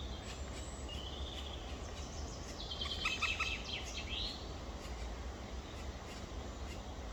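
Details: Two black woodpecker chicks in their nest, recorded on 23 May 2023 at 19:43, give a brief cluster of high, harsh, rapidly repeated calls in the middle of the recording against steady low background rumble.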